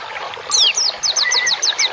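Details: Bird song used for training and soothing cage birds: a rapid series of about eight sharp, high, downward-slurred whistled notes, joined briefly by a lower level whistle, over faint background chatter.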